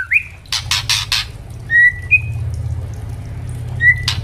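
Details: White-rumped shamas, a spotted juvenile and an adult, singing in a clear open 'ngeplong' style for training captive birds: a few short rising whistles between bursts of dry crackling clicks, over a steady low hum.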